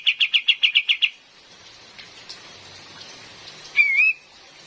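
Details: Female cream-vented bulbul as a forest lure: a rapid burst of about eight clipped notes in the first second, a long hissy pause, then one wavering slurred whistle.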